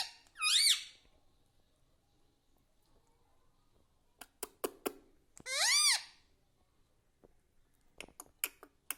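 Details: Pet parrot indoors giving two loud, sharp, arching whistled calls a few seconds apart, with scattered clicks and taps in a quiet room.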